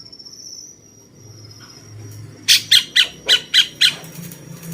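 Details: A cucak cungkok bulbul, a tutor bird for champion songbirds, gives a tight series of seven rasping notes about four per second after a quiet start with a faint low hum.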